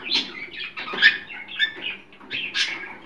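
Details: Scattered scratchy cockatiel squawks with soft fluttering wing sounds, part of calls meant to stimulate mating; bursts come roughly every half second with quieter gaps.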